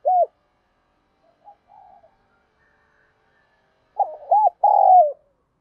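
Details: Spotted dove cooing as a decoy to rile wild rival males: a single short arched coo, a few faint notes, then a fast trio of hollow coos closing with a long slurred note.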